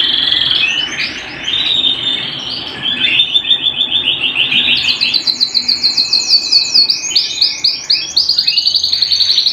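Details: Canary singing at home, moving from a softer rolling phrase into loud rapid trills of repeated high notes, several per second, stepping between two pitch levels.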